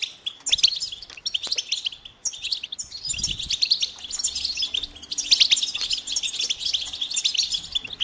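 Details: Goldfinch singing a lively, unbroken twitter of high, jingling notes and rapid trills, pausing briefly around two seconds, with a faint low thump near three seconds.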